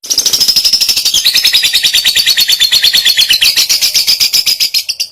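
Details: Lovebird in breeding condition, used as a master song to train other lovebirds: a continuous rapid buzzy chattering trill, pulses repeated over five seconds, shrill and steady.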